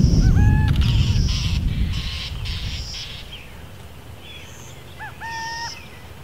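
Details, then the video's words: Burrowing owl (Athene cunicularia) giving two short, clear calls, each a quick rising note then a held tone, about five seconds apart, over a low rumbling background. "Il canto della Civetta delle tane - Burrowing Owl call"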